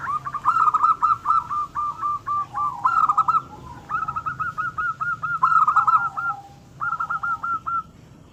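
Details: Zebra dove female calling the male, used as a lure: long strings of fast, staccato cooing notes run in phrases about a second long, almost continuous over a low steady hum.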